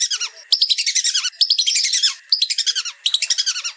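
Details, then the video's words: Several whistling ducks, recorded as a tutor recording, give shrill, rapid whistled twitters in bursts of about a second, overlapping in a continuous chatter with brief pauses. "Suara Masteran Belibis"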